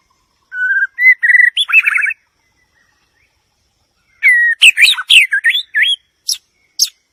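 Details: White-rumped shama singing a varied phrase of clear whistles that step upward, a pause of about two seconds, then a burst of rapid sharp notes and swooping whistles ending in two thin high notes.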